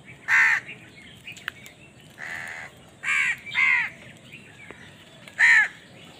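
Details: Crow caws while fighting over food, loud harsh nasal bursts, one early, then a pair close together mid-clip and a final strong caw, separated by quiet gaps with faint chirps.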